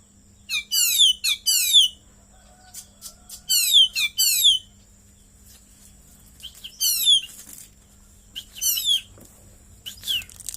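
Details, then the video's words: Oriental magpie-robin, a caged bird singing vigorously with cililin-style fill, delivers clusters of sharp, high, downward-slurred whistles in fast chattering runs about every two seconds, with quieter gaps and a low electrical hum between. "KACER GACOR,ISIAN CILILIN MANTAPJIWA"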